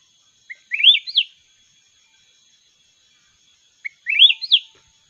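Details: Mountain red-whiskered bulbul in a singing duel repeats the same sweet phrase twice about three seconds apart: a short note, then a rolling warble rising and falling, over a faint steady high tone.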